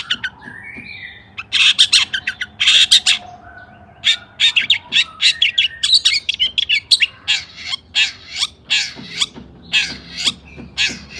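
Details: Long-tailed shrike singing excitedly to set off other shrikes: a low whistled opening, then prolonged fast scratchy chatter and clipped high notes in irregular runs.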